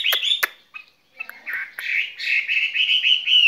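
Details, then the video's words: Caged skylark singing a spring love song: two sharp clicks open, then a brief pause before a continuous warbled, slightly buzzy stream of high notes that rises in loudness toward the end. "Chim quý ở lồng son ca bản tình ca mùa xuân"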